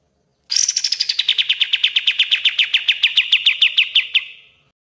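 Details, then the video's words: Common iora master song for training birds, a loud 'gacor dor' style: a rapid run of sharp chirps, about 25 notes, opening high and falling, then steadying into an even pulsing trill that fades out. "MASTERAN KAPAS TEMBAK GACOR DOR"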